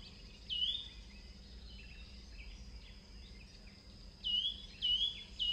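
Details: Yunnan nuthatch from southern Chinese forests calling while perched: a single high, upslurred note, a long quiet gap over a steady high whine, then three quick evenly spaced notes.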